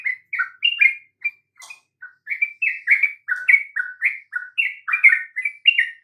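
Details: Sooty-headed bulbul song used as a lure to get other birds singing: a lively, continuous run of short, slurred fluty notes, each bending up or down, chattering along without pause over six seconds.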